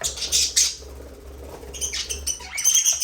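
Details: Budgerigars in an aviary, talking, singing and playing: bursts of scratchy, high chirping and chatter at the start and again after a short pause, with a low steady hum underneath.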